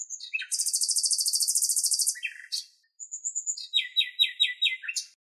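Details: Male Eastern black-eared wheatear singing in Greek nature: a high, fast, scratchy song with a long buzzy rattle, then a quick series of descending chirped notes, all in a high register.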